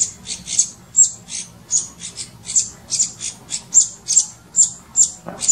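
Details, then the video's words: Streaked laughingthrush calling near Nainital: high, thin squeaky notes, repeated about twice a second in a steady but slightly uneven series. "Streaked Laughingthrush calling | Laughingthrush call"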